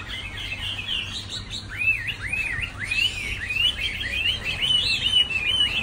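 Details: Chinese hwamei song: a run of loud, varied whistled phrases, many swooping up then down in quick arcs, with higher rapid notes layered above and a low steady hum underneath.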